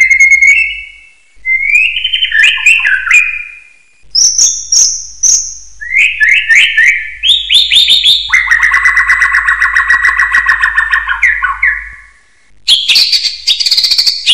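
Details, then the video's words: Tutor recording of a common hill myna whistling for training other birds: separate bursts of rapidly trilled, warbling whistles at changing pitches, some high and sustained, split by short silences. "MASTERAN SIULAN BEO AUTO GACOR"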